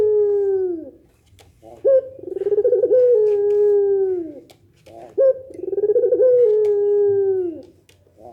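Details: Pelung nangguk cooing by a Barbary dove, the kind said to set other doves answering: two long pulsed coos about three seconds apart, each opening with a short bright note and sliding gently downward.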